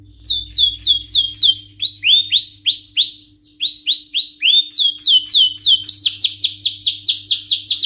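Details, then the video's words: Excited male canary delivering rapid rolling song: repeated upward-swept whistled syllables about four per second, changing to a higher faster series near the end, with a brief pause midway and a faint low hum. "تغريد روعة سيجعل ذكر الكناري في قمة الهيجان"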